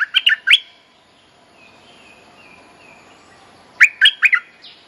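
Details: Bulbul mate-calling lure used to teach young birds: three loud chirps, then a quiet gap with faint thin whistles in the background, followed by a second burst of four lively notes.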